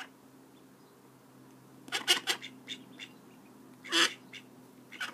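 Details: Call duck ducklings giving high, thin peeps in two short bursts of several quick notes each, separated by a quieter pause, with a faint steady hum underneath.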